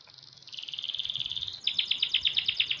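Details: Six-month-old canary in full, lively song: a high, even trill of rapid notes that steps up in pitch, then breaks into louder, sharper chirps repeated several times a second.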